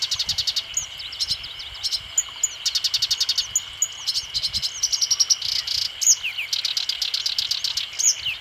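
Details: Black-browed reed warbler singing a fast, varied song of high buzzy trills, rapid clicking bursts and sharp slurred whistles, delivered in quick runs with brief pauses, over a steady high background hum.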